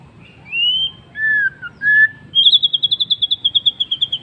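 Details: White-rumped shama in afternoon song, opening with a rising whistle and two lower drawn-out whistles, then a long quick trill of around fifteen repeated sharp high notes.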